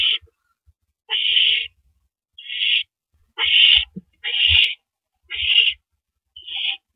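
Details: At night on 9 April 2012, around 7:58 PM, an owl on its nest gives rasping hisses as the first mouse of the night is delivered; half-second bursts repeat about once a second, with occasional low knocks.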